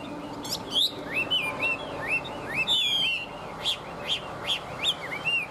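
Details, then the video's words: Tame Chinese hwamei song, sparser here: a few bright upslurred whistles, a harsh rasping burst midway, then a string of short sharp rising notes spaced about half a second apart. "Họa mi thuần hót tốt"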